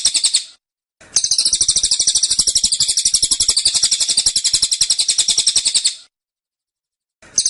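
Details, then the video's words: Cililin in 'tembakan' song: a brief burst, a pause, then about five seconds of fast, tightly packed high chirps, followed by silence and another short start. "Tembakan Cililin Suara Rapat Dan Ngotot"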